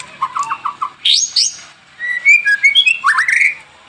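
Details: White-rumped shama singing actively, lure recording for caged birds: a few low repeated notes, a loud buzzy burst, then bright slurred whistles rising and falling.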